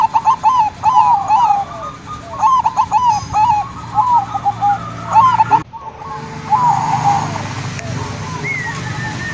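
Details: Local zebra dove, recorded as a lure to draw other zebra doves into calling. Rapid, staccato cooing notes warble in quick rolling phrases, repeated several times, with steady background noise.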